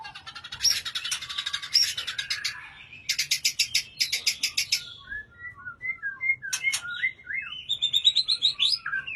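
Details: Caged white-rumped shama singing vigorously: rapid, dense, buzzy trills in bursts, then a run of short clear whistled notes and upslurs, ending with fast chattering phrases.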